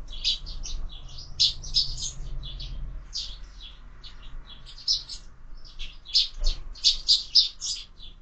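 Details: Sparrows feeding at a feeder fixed to a window at breakfast time give rapid, busy chirping: many short high tweets in quick irregular runs, with one dull knock midway and a low hum underneath.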